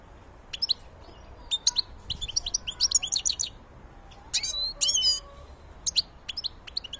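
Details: Black-headed goldfinch in full song, a dense, rapid stream of high tinkling twitters, clicks and short trills, with a brief buzzy churring phrase near the middle, in quiet surroundings.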